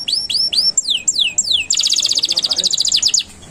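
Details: Canary singing as master material for training young songbirds: curved whistled notes and falling sweeps, then a quick, even staccato trill of bright high notes.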